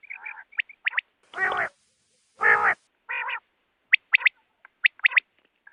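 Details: Female rain quail calling with clipped high double notes, interrupted by two loud, harsh, broad rasping bursts and a shorter nasal one, then more paired high notes.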